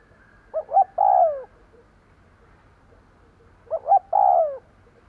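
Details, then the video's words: Decoy spotted dove cooing to provoke and attract wild doves: two phrases about three seconds apart, each two short rising coos followed by a long, drawn-out, falling croo, against a quiet background. "Tiếng cu gáy mồi gù gáy kích bổi nhanh nổi / Cu gáy gù gáy kích bổi hiệu quả"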